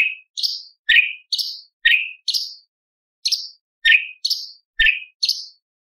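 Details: Light-vented bulbul song in the tembakan style, with lovebird, parakeet, ciblek and pancawarna imitations: lower slurred whistles and higher piercing chirps trade back and forth in quick pairs, broken by one brief pause.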